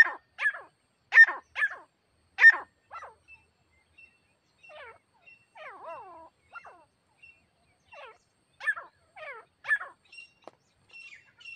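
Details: Grey partridge, a captive female used as a decoy to lure a wild partridge during a hunt: loud harsh notes in quick bursts, then quieter descending, slurred harmonic calls repeated in short series, with brief pauses.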